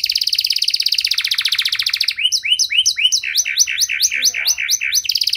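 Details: Lure song of a canary meant to prompt stalled canaries to sing again: a rapid fine trill followed by a sequence of repeated sweeping double notes, ending in another quick trill.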